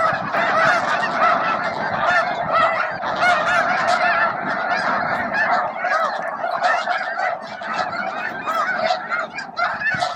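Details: Massed snow geese at Bosque del Apache near midday, feeding, grooming and facing off over spots; a continuous wall of loud, overlapping honks with no pause throughout.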